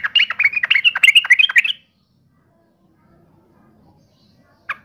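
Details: Gacor yellow-vented bulbul singing to make rival bulbuls reply in anger: a rapid, tumbling run of bright chirps and chattery notes lasting under two seconds, then quiet broken by one short sharp note.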